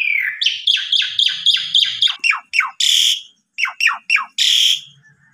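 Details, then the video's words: Asian pied starling used to lure other birds into song: a run of repeated downward-sweeping notes, each about half a second apart, interrupted by loud harsh squawks. "Pancingan Jalak Suren Biar Bongkar Isian"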